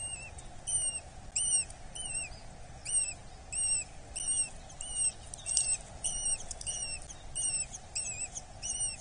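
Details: Eurasian hobby chick being fed at a Dorset nest, 8 July 2024: high, plaintive whistled notes in clusters, about one and a half per second, sometimes doubled, over a low steady rumble.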